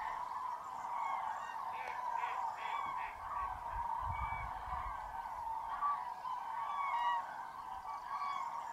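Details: Hundreds of common cranes at a massive roost in Tablas de Daimiel National Park, Spain, on a freezing foggy mid-January dawn, with a few greylag geese and teal. A dense, steady chorus of trumpeting calls, with clearer rising calls and a brief low rumble.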